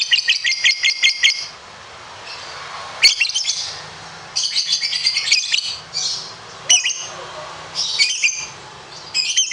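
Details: Lovebird of competition standard, delivering long high rattling trills in sustained runs of rapid repeated notes, several bouts separated by short pauses, in a small room.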